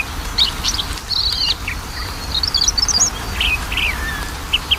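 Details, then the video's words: Lure recording of a magpie-robin for a bird slow to sing: varied high chirps and twittering whistled fragments, some in quick clusters, with a longer falling note near the end and constant background hiss. "PANCINGAN KACER MALES BUNYI"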